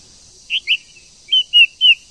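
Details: Female white-rumped shama urging a male to sing: two short whistled notes followed by three clear slurred whistles, each a fraction of a second long.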